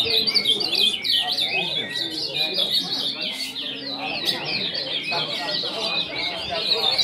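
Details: Several caged ultramarine grosbeaks, among about 30 cages, sing at once around 22 February: a dense tangle of quick, high warbled phrases with no pause, while a man talks in the background.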